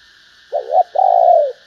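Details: Female spotted dove calling to stimulate males: a short two-part soft coo, a brief wavering note, a pause, then a longer smooth cooing note that slowly falls away, against a faint steady background hum.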